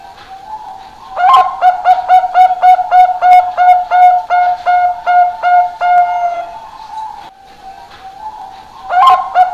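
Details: Song of a one-year-old Bangkok-type zebra dove, a promising contest bird: mellow cooing notes in a rapid staccato run, about three per second, over a steady humming tone, with pauses between phrases.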